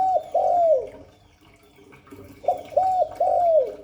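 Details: Spotted dove in the 'Hạp Bổi' voice style: long hollow coos sliding down at the start, a quiet gap, then a crisp three-coo phrase of arched, mellow notes.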